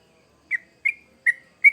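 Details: Sooty-headed bulbul song, used as a lure for young birds: four short, bright, whistled chirps spaced about a third of a second apart, each sliding slightly upward, with silence between them.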